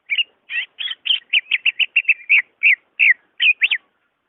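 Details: Greater green leafbird song, used to prompt a caged bird that is slow to sing: a quick run of loud, clear whistled notes, some rising and falling, delivered about four per second.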